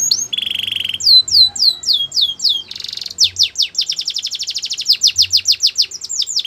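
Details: Singing Belgian canary: a low buzzy rolling tour, a row of looping downward whistles, a brief harsh burst, then a fast even trill of sharp high notes lasting several seconds.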